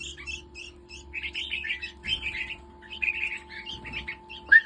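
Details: Red-whiskered bulbul, a captive hybrid bird awaiting sexing, singing short warbled and chattering phrases in bursts, ending with a louder sharp note; a steady electrical hum runs underneath.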